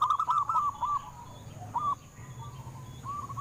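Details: Local zebra dove, used to encourage captive birds to sing, giving a quick string of short cooing notes that trail off, then isolated softer notes over noticeable background hiss and low hum.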